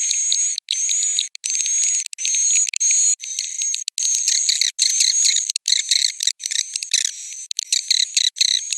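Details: Piro 89 swiftlet roosting call, with high rattling twitters and a thin sustained whistle in rapid bursts. The bursts grow choppier and more clicking toward the end.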